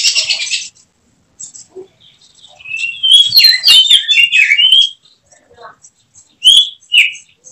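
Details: Caged oriental magpie-robin (kacer) being prepared for songbird contests, singing varied whistled phrases around mid pitch, clustered in a dense burst in the middle, with scattered short chirps before and after.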